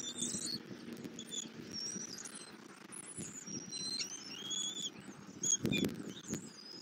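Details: Bald eagle nest in Southwest Florida, 8 February 2024 at 11:00, with the male arriving with a catfish and feeding an eaglet; varied high whistled and squeaky notes, a few sharp clicks near the end, over low rumble.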